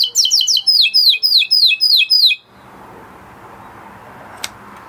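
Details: Blue Spanish Timbrado canary song: a run of about ten quick downslurred metallic notes repeated in even rhythm for two seconds, followed by quiet room noise and a single click.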